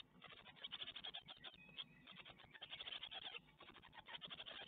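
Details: At an Ostwald nest on 12 May 2021, great tit chicks being fed a spider give a steady stream of quick, rasping chirps that rise to louder pulses near the middle and the end.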